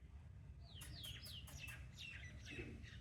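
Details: Caged pet parrot from Pakistan in a lively mood: a quick run of five or six sharply falling whistled notes, each sliding down, over a steady low background hum.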